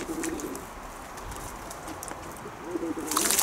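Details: Kept pigeons: a soft low coo opens the recording, a second rolling coo follows near the end, then a loud burst of broadband noise closes it.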